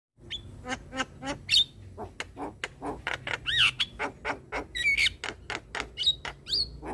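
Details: Black-winged starling singing to prompt reluctant, stressed starlings to respond: a run of harsh, rasping notes repeated about twice a second, broken by a few clear high whistles and squeaky bent notes.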